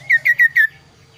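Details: A kaso-kaso bird gives a single phrase of four bright, falling whistled notes, evenly spaced and sharply clear, with a soft low hum underneath.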